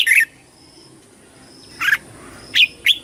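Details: Red-whiskered bulbul singing competitively to call the flock: one short warbled note, a long quiet gap, then three separate bright chirps in quick succession.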